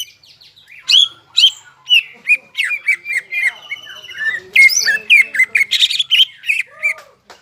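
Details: Crested greater green leafbird in full song, a recording meant to rouse stressed leafbirds that have gone quiet; harsh squawky notes mix with whistled slurs and rapid buzzy trills, delivered in a busy, varied sequence.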